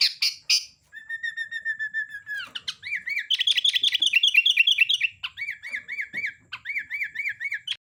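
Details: Sooty-headed bulbul, kutilang, in vigorous song: opening chirps, a long steady whistle, then fast rhythmic rising-falling whistled notes repeated several times a second in long trilling runs.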